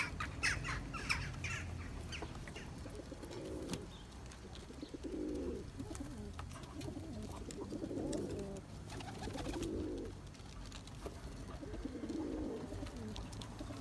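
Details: Courting Turkish tumbler pigeons, kept birds chasing mates for eggs and chicks; a low, bubbling coo phrase repeats roughly every two seconds in steady bouts over a constant low hum and occasional clicks.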